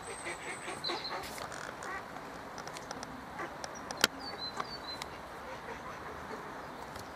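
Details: Mallards: two drakes defend a female duck from an intruding male trying to mate with her. Harsh quacking rises through splashing and broadband noise, with sharp splash-like clicks and brief high chirps from small birds in the background.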